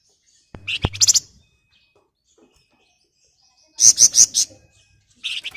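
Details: Three separate bursts of rapid buzzy notes from a flamboyan, each of four to five beats, with a sharp click before the first; used as master recording to make other flamboyan sing.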